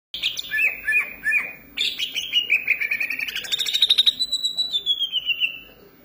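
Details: Greater green leafbird (cucak ijo) singing in full voice: clear whistled notes sliding down, then a long run of rapid, rising and falling warbled phrases that end in a descending whistled trill.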